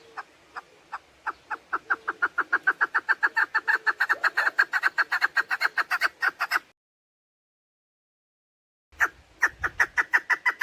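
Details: Hunters' lure call of a female chukar partridge: clucks start slow and spaced, speed up into a dense rapid chatter for several seconds, stop, then resume as a fresh quick series after a pause.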